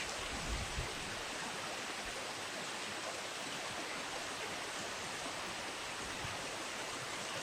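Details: Steady rushing of a river in autumn fills the air, a broad hiss with a few low bumps and no bird calls.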